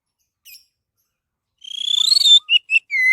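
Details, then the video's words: Orange-headed thrush song used as a lure to get other birds singing: after a faint high chirp, a fast buzzy trill rising in pitch, then three short sharp whistled notes ending on a longer falling whistle. "SUARA BURUNG ANIS MERAH PALING TOKCER"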